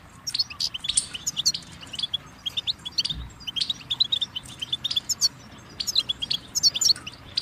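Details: Goldfinch song, a steady chatter of sharp high chirps and tinkling twitters repeated in quick succession, with a soft noisy background and one brief low thump.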